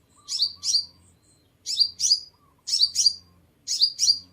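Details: Sunbird song meant to draw birds in: paired high-pitched chirps, each sliding sharply downward, repeated four times at roughly one-second gaps in a quiet setting.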